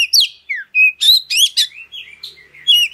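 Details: Oriental magpie-robin singing a dense, fast medley of sweeping whistles, slurred downward notes and buzzy high bursts. The song is meant to provoke other birds into singing. The recording is clean, with no background sound.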